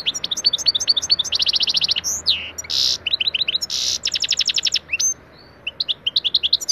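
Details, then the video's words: European goldfinch song used as a lesson recording for pet goldfinches: a fast, tinkling medley of high twittering notes, quick trills, buzzy rattles and liquid chirps, with no other sounds. "EFSANE SAKA KUŞU ÖTÜŞÜ iLE MEST EDİYOR - صوت الحسون الصغير"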